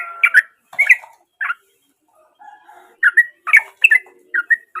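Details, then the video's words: Sooty-headed bulbul song, a natural recording used as a lure to coax silent bulbuls into singing: bursts of short bubbly chirping notes, a quiet pause midway, then a quicker run of clipped whistled phrases. "Trucuk Dengan Suara Asli Dari Alam || Trucuk Gacor Cocok Buat Pancingan Trucuk Bisu"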